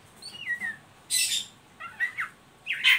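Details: Ngeriwik from an Oriental magpie-robin, used to get untrained birds singing: a falling whistled slur, a loud harsh hissing burst, quick chattering notes, then another sharp high burst.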